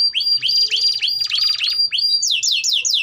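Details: Vigorous canary song meant to teach young canaries to sing: rising swept notes repeated about three times a second, dense rolled trills between them, ending in quick descending slurs.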